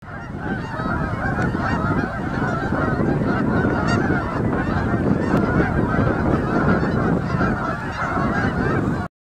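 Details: Flock of geese on Dryden Lake on 21 October 2007, a dense, continuous chorus of overlapping honks from many birds with no pauses.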